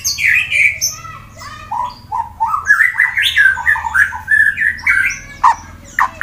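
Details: White-rumped shama, a fighter bird from Wonosobo, Central Java, Indonesia, used to spur rivals into singing: a steady stream of varied whistled phrases with some sharp clicks.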